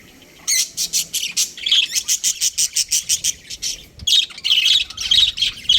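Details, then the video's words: Budgerigars of a breeding pair give a run of short, evenly spaced sharp chirps, about two per second, then break into denser warbled chatter. "Amazing budgie chirping sounds | budgies breeding pair"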